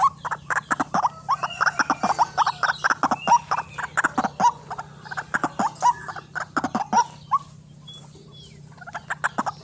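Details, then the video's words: Trapping-lure recording of a white-breasted waterhen: loud, throaty, hiccuping croaks in quick uneven bursts, some notes with a bright ringing edge, pausing near the end where a faint whistle shows. "RUAK RUAK GACOR GANAS RAJANYA PIKAT"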